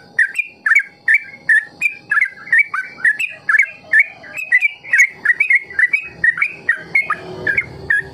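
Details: Ropel singing by a trucukan, used to train trucuk toward long ropel song: a chain of bright, down-slurred whistles, dense and continuous, with a faint rumbling noise entering near the end.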